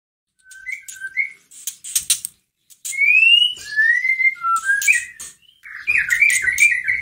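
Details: White-rumped shama lure recording meant to rouse a sluggish caged bird into singing: clear whistled notes, level then rising and sliding, with short sharp clicks and chips between phrases.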